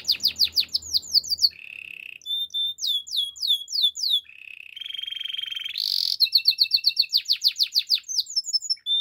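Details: A Belgian canary sings in the morning, switching between quick falling whistled notes, lower buzzy rolls and a bright sustained trill, with barely a pause between the varied phrases.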